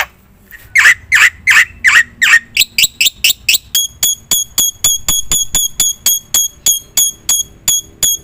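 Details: Black-winged myna song played as a lure for other birds: several loud harsh rasping notes, then a long steady series of short clipped metallic whistles repeated about three times a second.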